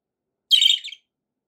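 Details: A single short, rasping chattered chirp from pet budgerigars described as happy, lasting about half a second with a warbling, scratchy texture.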